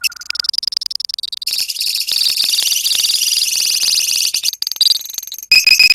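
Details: High, dense chatter from a colony of lovebirds, the 'ngekek' style of drawn-out rattling song: a few sharp notes open, then several seconds of continuous buzzing trill, ending with piercing clipped squeaks.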